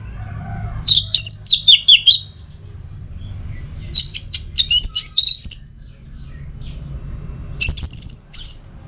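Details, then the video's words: Orange-headed thrush in a training and lure recording for teler singing: three bursts of rapid, high descending whistles and sharp chips, with quiet gaps between phrases. "Masteran sekaligus Pancingan Burung ANIS MERAH Agar Selalu Bisa Menikmati Telernya setiap saat"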